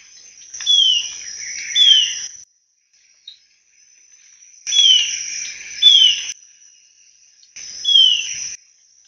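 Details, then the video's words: Song of the Alagoas antwren, a critically endangered Brazilian antbird. It gives three short bursts of high, thin, downslurred whistled notes, each burst about a second long and separated by a few seconds of silence, with a faint steady high tone underneath. "Canto da Choquinha de Alagoas Myrmotherula Snowi"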